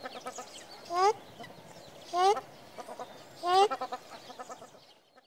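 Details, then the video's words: Ruddy shelduck gives three loud, nasal, honking calls about a second apart, each with an upward-bending twang, over softer chattering from other birds; used as a hunting call. "Ruddy Shelduck Best Call Sounds For Hunting, Chakwaa Hunting Call"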